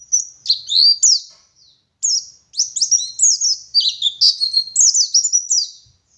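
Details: Oriental white-eye from Garut, West Java, singing: high sweet chirps and downward-sliding whistles, a brief pause, then a busy, jumbled run of twittering phrases.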